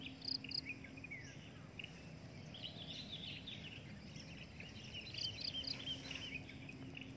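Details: Adult drongo kept for breeding: high pips at the start and again later in groups of three, mixed with busy overlapping chirps and short whistles, over a low hum.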